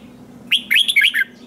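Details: Red-whiskered bulbul in competition singing: a single short phrase of four or five quick, lilting whistled notes, rising then falling, lasting under a second.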